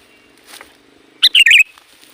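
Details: Sooty-headed bulbul, a recording used to lure wild bulbuls, giving one short bubbly phrase: a sharp high note, then a quick warbled run of rising and falling notes. Faint low murmur underneath.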